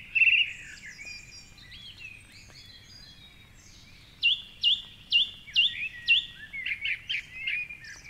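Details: Song thrush in predawn darkness, 4.45am, perched atop a tall tree by the Curragheen River in Cork City, Ireland: a brief loud trill, quiet pause, then a bright upswept whistle repeated five times before mixed chattering phrases, other birds faint behind.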